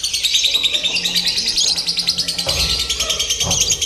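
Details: Lovebird being trained for singing competitions with a simulated contest. A continuous shrill, rapidly pulsed chatter runs throughout, with a few low thumps in the second half.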